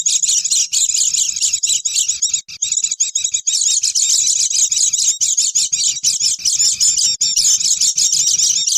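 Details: Busy Oriental white-eye chatter used as a wild-bird lure: continuous, high, rapid chirping from several birds, briefly thinning near the third second and then becoming louder and denser.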